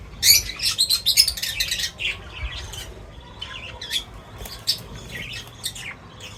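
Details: Feeding birds open with a busy flurry of high, scratchy chirps, then the calling thins to scattered single tweets and soft twitters over quiet rustling.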